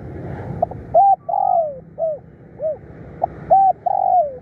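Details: Decoy spotted dove, fierce and persistent in calling, delivering mellow cooing phrases: clipped low notes leading into a long downward coo, repeated twice with soft single coos between.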